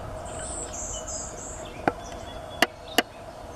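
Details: A male Golden-winged Warbler at Normanskill Farm, Albany, New York, on 2 May 2020, gives a few high, thin buzzy notes in quick succession, followed by three sharp, loud clicks.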